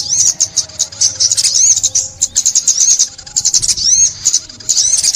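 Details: Sunbird singing in Vietnam during bird trapping in 2021: dense, very high, rapid twittering with thin sweeping whistles, delivered in bursts separated by brief pauses.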